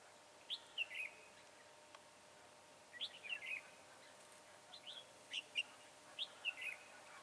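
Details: Red-whiskered bulbul song recorded while trapping with a decoy bird: brief chirpy whistled phrases of three or four notes, given about every two to three seconds against a faint hiss.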